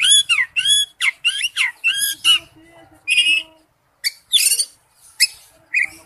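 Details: Oriental magpie-robin male calls toward a female, first with a quick series of down-curving whistled notes rich in overtones, then harsher, buzzy and scratchy notes after a pause.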